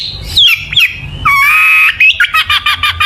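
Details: Long-tailed shrike lure song to make shrikes sing: a few slurred notes, then a long harsh, nasal sustained note with a rising end, followed by a quick series of short rasping chirps.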